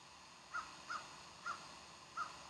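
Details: Bald eagles at Decorah on the morning of 15 January 2012: four short, thin, high chirped notes spaced about half a second apart, over a steady faint background hiss.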